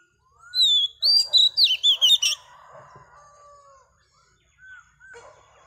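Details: Female Oriental magpie-robin, a newly caught bird, singing to stimulate males: a burst of loud, rapid, high whistled and chattering notes, then softer lower slurred whistles and a few short closing notes.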